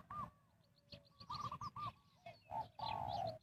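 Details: Spotted dove luring wild birds in a trapping setting: several separate rounded coo notes, then a sustained descending coo at the end. Faint high chirps and a rustling background are also heard.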